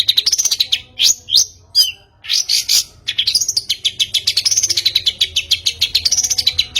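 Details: Long-tailed shrike lure for making birds sing. Sharp whistled slurs and loud buzzy notes open the clip, followed by a long run of fast, evenly paced chattering notes that swing up and down in pitch.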